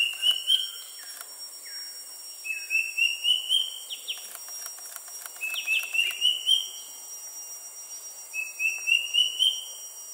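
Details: Square-tailed drongo-cuckoo, an uncommon resident in Singapore, calling: short runs of five or six clear whistled notes climbing slightly in pitch, repeated every few seconds over a steady high insect hiss.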